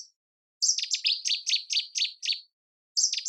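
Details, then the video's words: Nightingale singing: a brief high note, then a run of about eight quick, sharp, down-slurred chirps repeated evenly, a pause, and the start of another chirping phrase. The background is silent. "Nightingale Singing"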